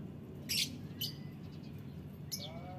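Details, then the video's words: Lovebirds in the morning: two loud, harsh, squeaky chirps about half a second apart, then a thinner chirp with a faint whistled note near the end, all over a steady low background rumble. "suara lovebird pagi hari"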